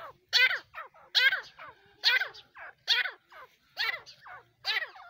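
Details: Female desi grey francolin calling; loud harsh, strongly harmonic phrases repeated roughly every second, each a rasping burst followed by shorter softer notes, with a quiet background.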